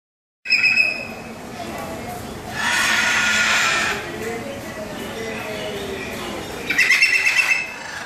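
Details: Moluccan cockatoos at Jurong Bird Park, Singapore, on 13 February 2014; a cockatoo gives three harsh, raspy screeches, each about one second long, spread over eight seconds, with a low murmur of background noise throughout.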